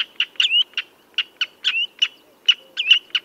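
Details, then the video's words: Common redshank giving spaced, sharp notes mixed with several slurred rising whistles over about three seconds, with a quiet background. "Tiếng Chim Choắt Chân Đỏ"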